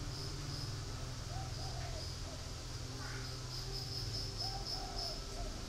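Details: Spotted dove kept in a cage at Ba Vì near Hanoi, Vietnam: two soft cooing phrases of drawn-out, slightly wavering low notes about three seconds apart, with a constant background hum and faint high whine.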